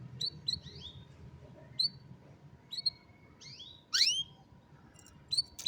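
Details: Canary singing, recorded on a mobile phone: scattered short chirps and bright whistled notes sweeping down, plus one louder slurred burst near the middle, with low background rumble and a steady faint hum.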